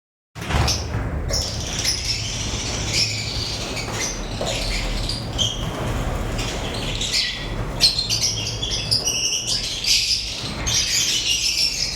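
Lovebirds chirp in a busy, overlapping chatter of sharp high notes and squeaks, with a steady low rumble and some flapping underneath.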